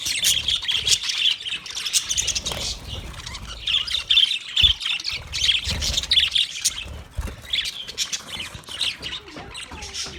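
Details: Budgerigars chirping, offered as company for a lonely bird: dense, busy chatter of rapid high twittering and warbled notes, with several birds overlapping almost without pause for ten seconds.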